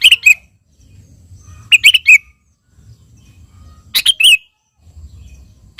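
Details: Sooty-headed bulbul calling a rival with spirited song: three bursts of rich chirping phrases about two seconds apart, with low rumbling background between them.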